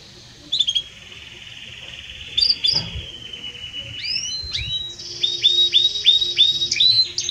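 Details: Belgian canary in loud, warm song: a long sustained whistled tone with a few sharp clicks, then a series of repeated hooked high notes.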